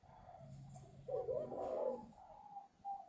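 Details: Spotted dove from a Ba Vi, Hanoi bird farm, a youngster beginning to find its voice. A faint coo comes first, then a louder, rough double coo and a brief final note, over low hum.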